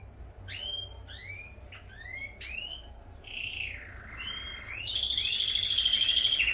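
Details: Domestic canaries in full song as pairs are about to be separated: a series of sharp upward-sweeping chirps, then a descending slurred note leading into a bright sustained trill that grows louder toward the end; faint low hum behind.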